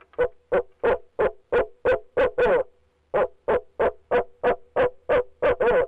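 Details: Barred owl male, calling from his nest box, gives rapid evenly spaced low hoots, roughly three a second, pausing briefly mid-run before a second burst ending in a slurred, harsher note.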